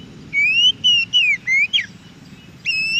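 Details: Oriental magpie-robin singing in the wild, used as a training recording for caged birds: four rhythmic whistled phrases, each rising or falling, then a quick slurred flourish and, after a pause, a clear steady whistle.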